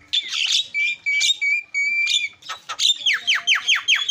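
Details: Javan myna lure recording meant to set other mynas calling: sharp whistled notes and buzzy bursts, then a fast run of about eight downslurred whistles repeated roughly every quarter second.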